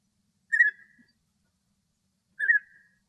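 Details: A male European bee-eater singing happily in Greek nature, with two liquid, rolling trilled calls about two seconds apart and quiet surroundings.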